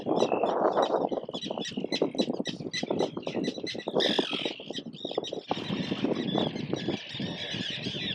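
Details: Gull parents guarding swimming, still flightless chicks in the wild, captured from an island toward a nearby islet at about 15-20 metres; a sharp squawk rises midway through steady crackling, rumbling background noise, with faint high calls around it.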